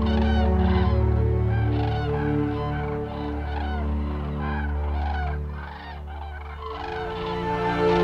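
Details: Cranes migrating in flight give a steady stream of rolling trumpet-like calls from many birds at once, accompanied throughout by a deep continuous droning background tone.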